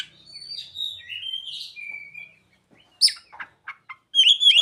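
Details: Oriental magpie-robin with ciblek and sogon filler phrases: softer wavering whistles drift down, a pause, then sharp sudden chips and a loud closing series of bright, looping whistled notes.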